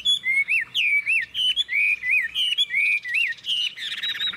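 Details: Chinese hwamei, a caged bird in Vietnam noted for its forest-type voice, sings clear, looping whistled phrases of roughly half a second each, the pitch flicking up and down, with short gaps between them.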